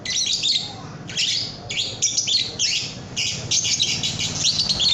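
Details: Young lovebird (paud) singing as a tutor recording for cage birds: rapid, squeaky, twittering notes in clustered bursts, continuing almost without pause.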